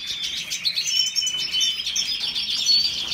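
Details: Red siskin singing: a dense, continuous high twittering with thin whistles and buzzy trills, steady throughout.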